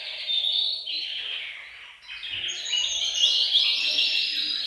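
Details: Group of canaries in a bird room singing to encourage males to sing; high rolling trills fade briefly mid-way, then return louder with bright overlapping whistled phrases.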